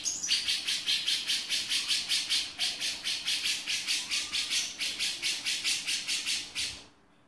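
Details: A male grey-cheeked bulbul delivers a long burst of rough, scratchy notes in quick succession, roughly two per second, in the 'beset' style, ending abruptly into quiet.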